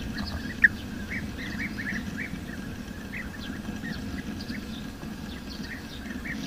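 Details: Several wild bee-eaters chatter with rapid, short chirping notes, some upslurred, plus one brief sharp note early on, set against a steady low droning background.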